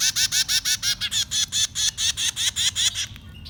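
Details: Baby birds begging while being fed, with rapid, insistent high chirps repeated about six times a second in a steady series that breaks off near the end.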